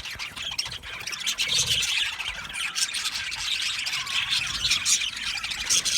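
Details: Budgie colony in an aviary producing a steady wall of high chattering chirps and warbles, many birds calling over one another without a break.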